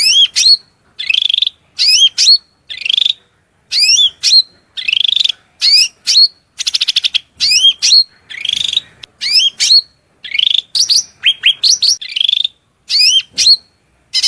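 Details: Continuous shrill cucak rante song: sharp downward-sweeping whistles, buzzy chatters and a brief grating rattle, repeated in energetic irregular phrases.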